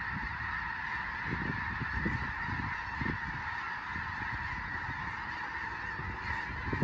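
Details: Flushed by a passing raptor such as a bald eagle, a big flock of Snow Geese takes flight on Fir Island in western Washington's Skagit Valley; an unbroken wall of overlapping honks over low rumbling wind.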